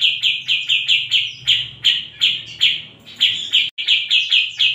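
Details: Bearded bulbul (cucak jenggot) repeating ringing chirps in quick succession, spaced slightly wider in the middle, then quickening again after a brief gap, over a faint low hum.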